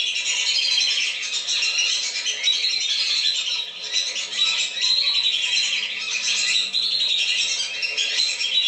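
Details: Lesser whistling duck lure call meant to bring birds down: a continuous, crowded chorus of shrill whistles from many ducks, only slightly easing near the middle.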